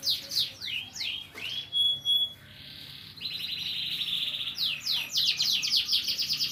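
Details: Greater green leafbird in lively, energetic song: a fast run of varied high whistled notes and sweeping slurs, one steady buzzy trill held for about two seconds, then quick repeated chirps.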